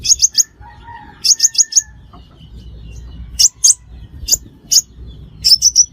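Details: Five-coloured sunbird calls, played as a lure for trapping. Rapid bursts of thin, high chirps in threes and fours, then scattered single sharp notes. A few softer lower whistles come in between.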